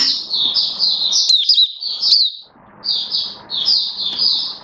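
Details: High, sweet twittering song of a caged oriental white-eye kept as a hobby bird, 19 September 2022, in two dense bursts of quickly linked warbled notes with a short gap between, over a soft low hum.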